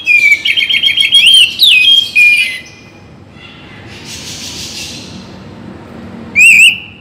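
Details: Oriental magpie-robin, a bird sung to morning and evening to rouse lively singing, giving loud whistled phrases with quick warbling trills, a pause with a soft hissing burst, then one sharp rising whistle at the end.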